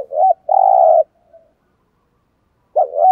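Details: Spotted dove used as a decoy to rouse rival wild birds: a quick wavering double note, then a long vibrating coo, a pause, and the next phrase starting.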